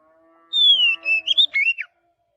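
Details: Wild white-rumped shama singing in a forest: a single clear whistled phrase that slides down, then rises and breaks into quick varied warbled notes, lasting just over a second, with a faint low hum behind.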